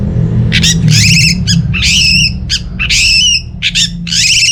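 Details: Orange-headed thrush song from northern Bali, used to coax idle caged birds into singing: a dense run of harsh, rasping, buzzy notes in quick bursts, loud and continuous, with a low background hum.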